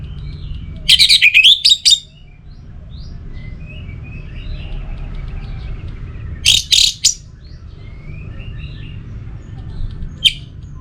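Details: Orange-headed thrush singing, meant to prompt silent birds to sing: two brief scratchy, chirping bursts about five seconds apart and a faint final note, separated by quiet stretches with low hum.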